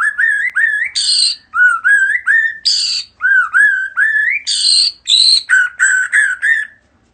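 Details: A bird, described as a head-shaking bird singing a greeting, gives a quick run of rising whistled notes, about two per second, broken by harsh, squawky bursts.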